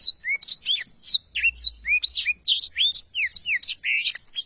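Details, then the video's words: Continuous lively Blackthroat song of varied slurred whistles, rising and falling sweeps, and quick chirps packed closely together without a break. "Tarikan Suara Blackthroat Super Gacor Ngerol Panjang II masteran burung blackthroat (audio jernih)"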